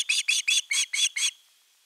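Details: Osprey at nest 3 on 10 August 2021, calling at length for fish before a whole fish is brought. Six sharp, whistled notes with a buzzy edge come in quick succession, then fade to quiet.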